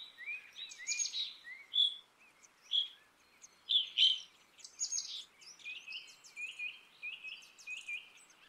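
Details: Black-capped chickadee giving a run of busy, chattering calls: rasping buzzy bursts and short sliding notes, repeated irregularly around two or three times a second in a lively series.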